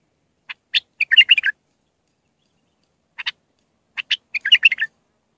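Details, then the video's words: Iraqi bulbul in raw Mandali style for tutoring chicks: sharp clicky notes lead into two short warbling phrases separated by a pause of a couple of seconds. "تغريد بلبل عراقي خام مندلاوي راقي ساعة كاملة التعليم افراخ البلابل"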